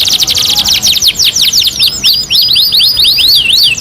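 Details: Canary song from a two-in-one master recording: a fast descending trill of bright notes that slows into repeated crossing up-and-down whistled sweeps.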